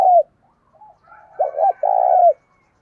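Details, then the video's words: Decoy spotted dove giving the thúc sung cooing style used to lure wild doves: a brief falling note, faint murmurs, then two short tremulous coos followed by a long, burring, mellow coo that drops at its end. "Chim Cu Mồi Gáy Thúc Sung Hay Nhất Hiện Nay, Kích Bổi Nhanh Nổi Và Căng Lửa"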